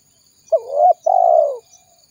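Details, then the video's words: Spotted dove call used as a lure to attract wild doves: one short, low, hooked coo followed by a longer, smooth, slightly falling coo, with a faint steady high tone in the background. "Suara Burung Tekukur Gacor Paling Ampuh Untuk Pikat Dan Pancingan"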